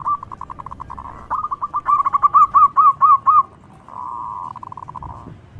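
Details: Zebra dove, local bird, singing loudly as bait for other doves: quick staccato pulses speed into ringing, rising-falling hooked notes with overtones, then a steady buzzy trill.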